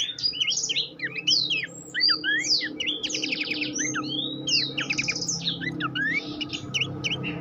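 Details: Horsfield's babbler song used as a master recording for training competition songbirds: a dense, nonstop run of high whistled slurs, rising and falling sweeps and quick trills, with a steady low hum underneath.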